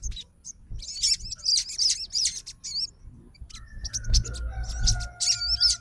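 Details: Fighter sogon responding at once to another sogon's song, as if calling an opponent: bursts of high, wavering chirps and twisting whistles, with a steady lower whistle-like tone in the second half and low rumbling background noise.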